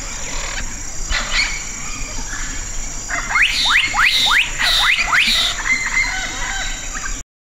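Black-capped Donacobius gives five loud, rising whistled notes, about two per second, after a few softer notes. A steady high insect hiss runs throughout.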